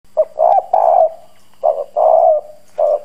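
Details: Decoy spotted dove with a hoarse 'bronze' voice, cooing hard to provoke wild doves. Low, husky three-part phrases: a short note, then two longer coos. The phrases repeat about every 1.5 seconds over a quiet background.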